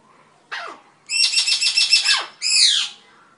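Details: Eclectus parrot at home in Nawalapitiya, Sri Lanka: a short descending squawk, then a long harsh rasping screech with pulsing, and a final falling screech, loud and close.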